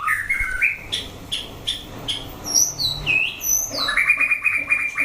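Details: A white-rumped shama in a fighting test, mixing sharp chips, high thin whistles, and swooping notes, ending in a buzzy rapid trill held at one pitch.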